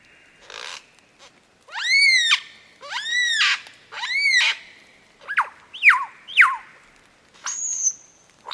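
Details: Lyrebird singing: three loud arched notes with stacked harmonics, repeated about once a second, then three sharp descending sweeps and a final high drawn-out whistle, with quiet pauses between phrases.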